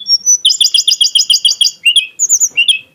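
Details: Tledekan gunung delivering a fast trill of about a dozen evenly spaced doubled high notes, then a few sharp slurred whistles, part of its exotic-style song with strong shots.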